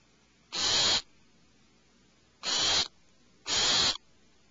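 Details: Owlets alarmed in their nest cavity let out three rasping, hiss-like screeches. A long pause follows the first, then two come close together.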